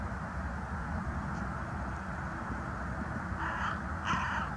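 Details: A young carrion crow (Corvus corone) on 22 January 2020 gives two harsh, hoarse caws in quick succession near the end, over a steady low rumble of wind or distant traffic.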